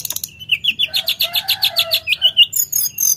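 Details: Sooty-headed bulbul in full, lively song: a fast run of about fifteen bright, even notes repeated several times a second, followed by a few higher, sharper notes, over a quiet low hum.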